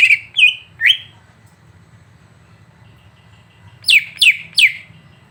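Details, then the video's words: Greater green leafbird phrases played to stir up a caged bird: three quick slurred whistles, a long pause with low hum, then three steep downward whistled sweeps in fast succession. "Masteran untuk cucak ijo biar terpancing emosi"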